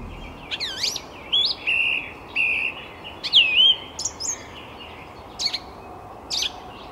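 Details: A song thrush in Tsaritsyno, Moscow, Russia, in May 2021, sings loud, varied phrases of clear whistles, sweeping notes and sharp chirps, several repeated, over a steady background hiss.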